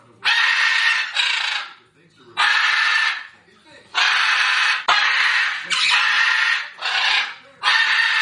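A parrot gives harsh, raspy screeches, each lasting about a second, in seven bursts separated by brief pauses.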